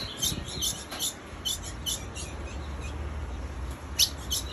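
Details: A female ultramarine grosbeak calls nonstop with short, sharp, high chips in quick succession, about two each second, over a low background rumble.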